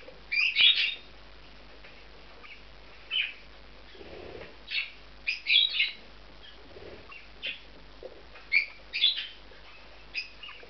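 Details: Two male budgerigars, a bonded pair, occupying a nest in an aviary compound; irregular bursts of sharp high chirps and warbled squeaks, with low fluttering or shuffling noises in between.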